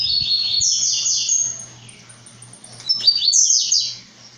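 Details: {'caption': 'Blue-black grassquit in brown plumage sings two quick buzzy phrases about two and a half seconds apart. Each is a wheezy upward sweep, with a constant low hum underneath.'}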